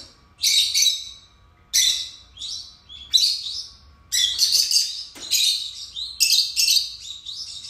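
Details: Two pet lovebirds indoors chirping loudly: shrill, harsh, high-pitched chatter in bursts about a second long, separated by brief pauses, growing busier and more continuous toward the end, with a faint steady hum beneath.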